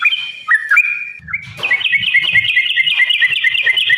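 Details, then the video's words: Yellow-vented bulbul fighting song for provoking other birds to sing: a few drawn-out whistled notes, then a fast rolling chatter of liquid whistles that continues steadily to the end, over faint low rumbling. "trucukan gacor TARUNG ROPEL PANJANG pancingan trucukan agar bunyi"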